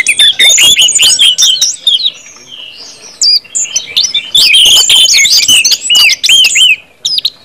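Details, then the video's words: Orange-headed thrush in ngeplong song used as a prompt for other birds: lively bursts of high whistles and chips at the start and end, with a softer, thinner passage in between. "KUMPULAN ANIS MERAH NGEPLONG BIKIN CEPAT BUNYI DAN GACOR ANIS MERAH"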